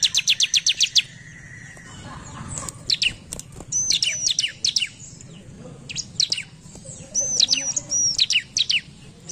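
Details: Bar-winged prinia reacting to a lure recording, opening with a fast even rattle of about ten high notes. Hooked, slurred whistles and chirp clusters follow, with low hum underneath.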